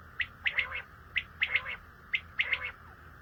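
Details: Common quail calling: three bursts about a second apart, each a quick run of three or four sharp, clipped notes, with a steady low hum underneath.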